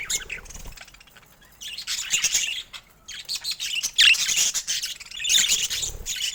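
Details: Pet budgerigars chirp in bright, high bursts of fast twittering, broken by short quiet gaps between loud rounds.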